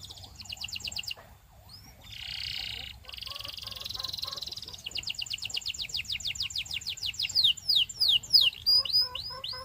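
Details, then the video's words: Belgian canary song mixing varied phrases: brief rapid trills, a buzzy drawn-out passage, then long series of rapid rising sweeps that speed up and grow louder toward the close. "DO THIS And Your BELGIAN CANARY Will SING A LOT!"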